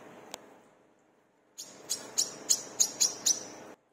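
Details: Brown-throated sunbird (wiceh, manggar) in full song as a lure to train caged birds: after a brief click and quiet pause, a fast run of about seven piercing high chirps, roughly three or four per second.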